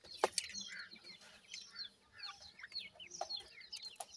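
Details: Francolin chicks peep steadily in thin, very high chirps, some sliding downward, in a busy overlapping chorus broken by brief sharp taps.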